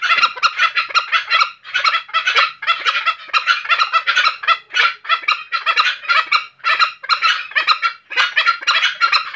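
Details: Tame green junglefowl from Bali giving its distinctive call while in heat at night: a fast, steady stream of harsh, rattling clucks, about five bursts a second, carrying on without pause.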